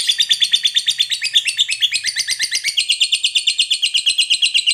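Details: Long ngekek chatter from a lovebird, played to get other birds singing: a fast, even string of shrill trilled notes about three per second, dropping a little in pitch midway and keeping a steady rhythm throughout.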